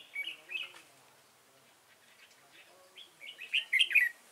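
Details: Red-whiskered bulbul kept as a decoy for trapping, Dong Nai, Vietnam, November 2017: a few chirpy notes, a pause, then a louder run of bright warbling notes.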